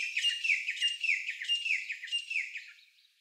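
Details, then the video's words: Bird singing in a tropical forest on the Big Island, Hawaii: a bright, high chirped phrase with a quick whistled slur, repeated roughly every two-thirds of a second, four times, then fading away. "Exotic Birds Singing in the Woods"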